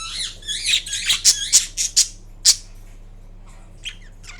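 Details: Rapid, rasping high-pitched chatter from a green Indian ringneck parakeet kept as a pet, sounding while it naps indoors, slowing into a few separate sharp squeaks before falling almost silent.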